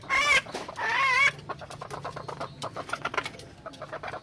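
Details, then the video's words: Junglefowl hen uttering two drawn-out nasal, wavering calls at the start, followed by quieter scattered clicks and clucks in the background. "suab poj qaib qus seev zoo"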